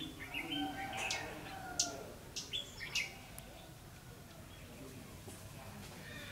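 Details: During bulbul trapping on 9 December 2015, a red-whiskered bulbul sings brief chirpy warbles early on, followed by a few sharp, clicking notes before fading into quiet background noise.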